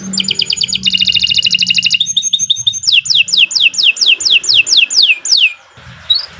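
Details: Long continuous canary song meant as training master for birds that stop singing: dense trilled phrases, a short flat trill, then repeated downward-sweeping whistles at a quick steady pace, with low hum underneath.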